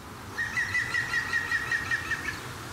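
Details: Green woodpecker in April 2018 in the Vossmoor moorland southeast of Hamburg, heard but not seen, in strong wind after grey days: a loud laughing call of about ten ringing notes in quick even succession over two seconds, wind rumbling beneath.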